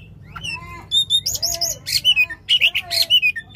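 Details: Oriental magpie-robin singing loudly with long shot phrases, played to prompt a silent magpie-robin into song. Sparse lower whistled slurs open the clip, then a burst of rapid, sharp, high chirps and trills from about one second.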